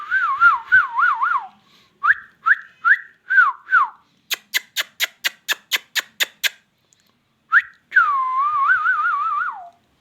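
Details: Ringneck parrot talking: a run of wavering, warbling voiced phrases, then a quick even series of about a dozen sharp clicks, a short whistled note, and a long quavering phrase to finish, in quiet surroundings.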